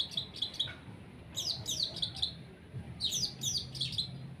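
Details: Cendet (long-tailed shrike) at sunning, uttering three clipped bursts of quick, harsh high notes separated by brief silences.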